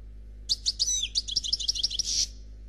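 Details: European goldfinch of the type called Noir Khalwi, singing a flawless song: a quick, high twittering phrase of bright chirps and short sliding notes, ending in a dense buzzy trill, over faint low hum.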